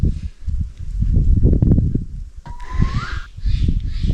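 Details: A female Northern Spotted Owl, one of a pair in a steep, thick California forest, gives one soft, clear whistle sliding upward, under a second long. A second owl, thought to be the male, is perched on a cedar about 6 ft up. Low rumbling and rustling underneath.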